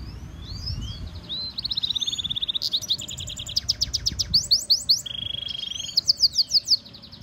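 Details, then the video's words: Training song from a European goldfinch mule hybrid: twittering whistles lead into a long shimmering trill, metallic buzzy phrases, a steady rattle, then sharp repeated chirps, bright and continuous. "European goldfinch Singing Mule -Training - Jilguero Mulo - Carduelis carduelis - Stimulation song"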